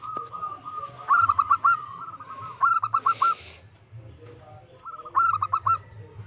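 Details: Local zebra dove calling to challenge rival birds, three separate phrases of four or five rapid, clipped cooing notes spaced a few seconds apart, with a faint low hum underneath.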